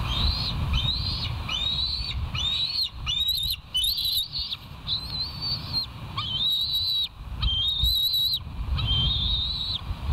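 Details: Wild bald eagles at the West End nest, recorded on 13 September 2023 by a live nature cam. A run of high, thin, whistled piping notes, some rising and some trilled, repeated every half second or so, over low background rumble.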